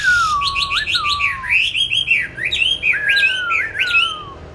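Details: Kept songbird, bought 19 May 2020 and fed steadily on bran, pours out a long descending whistle mixed with quick, high, chattering notes, the phrases tumbling over one another.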